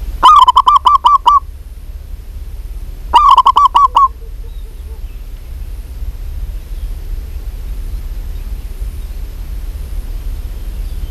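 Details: Two bursts of rapid, staccato cooing notes, about six each and roughly three seconds apart, from a local female zebra dove calling to a male; quiet low background noise between and after.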